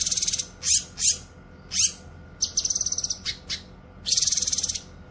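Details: Cucak kinoy, recorded as a lure and training sound; harsh rasping notes, then a rapid pulsed buzzy trill, a few single notes and a final fast rattle.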